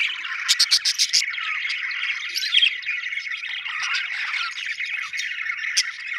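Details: Budgie chirping that opens with a quick run of about five crisp, high ticking chirps, then settles into a steady murmuring warble with occasional sharp squeaks.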